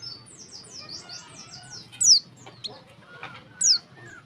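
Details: Lure call of a female warbling white-eye meant to make males sing. A run of quiet buzzy chirps leads into two loud, steeply falling whistled notes roughly one and a half seconds apart.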